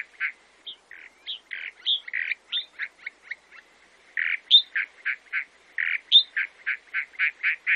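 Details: Chalk-browed mockingbird (sabiá-do-campo), Brazil, singing a varied medley of harsh chucks, raspy notes and short high squeaks, tempo building into a steady run of grating notes toward the end.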